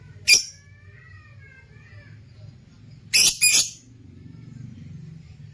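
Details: Lutino opaline lovebird in a cage with harsh, shrill squawks: one sharp squawk at the start, then a loud double burst near the middle. A thin, faint whistle runs between them over a low steady hum.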